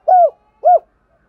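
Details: Spotted dove call aimed at attracting wild doves: two smooth arched coos, the first longer, about half a second apart, in otherwise quiet surroundings.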